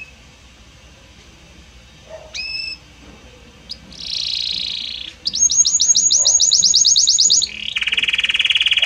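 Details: Belgian canary singing a varied, harmonious song that shifts gradually from one note to the next: a few brief whistled notes, a buzzy burst, then a fast, even rapid-fire trill of about two seconds, ending in a harsh buzzy roll.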